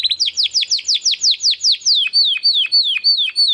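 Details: Timbrado Español canary male, a 2020-bred bird from rated parents, delivering training song for other canaries: a quick even series of high, sharply falling whistled notes, about five per second, then slower looping notes with short drops.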